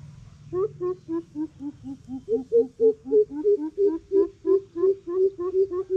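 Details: Challenging greater coucal delivering a long, loud run of about seventeen deep hoops, starting low, stepping up in pitch midway and holding steady, evenly spaced roughly three per second over a low hum.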